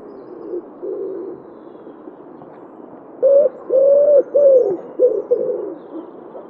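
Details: Wood pigeon in Wittlich, 2017: faint distant coos, then a loud close phrase of five rhythmic hooting notes, the longer middle notes drawn out and even in pitch.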